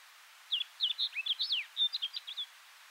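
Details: Snow Bunting in the wild at Kiritappu, Hokkaido, Japan, recorded June 2015: a brisk warbling phrase of a dozen clear whistled notes, mixing downslurred and upswept elements over about two seconds, against soft steady background noise.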